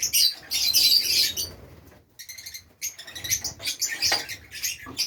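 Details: Fischer's lovebirds in a breeding setup with nests, Safi, Morocco: loud, frantic high squeaks and twittering open the recording, a brief hush follows, then uneven chirps return with some fluttering.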